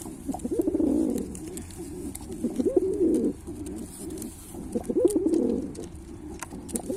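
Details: Repeated rolling coos from a Pilkha pigeon, warbling low phrases about every two seconds that rise and fall in pitch, steady background hiss.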